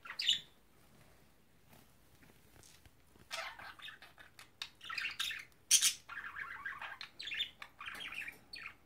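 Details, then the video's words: Pet cockatiel trying to talk and sing: raspy, scratchy mumbling syllables and squawky chatter in an uneven stream, with one louder harsh note near the start. "is trying to talk and sing"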